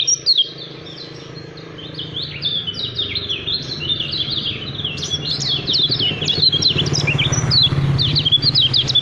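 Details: Kecial kuning (Lemon-bellied white-eye) singing the quick, tightly packed 'speed rapat fighter' style: a long unbroken run of high, sharp, slurred chirps that grows louder after a few seconds, over a low background hum.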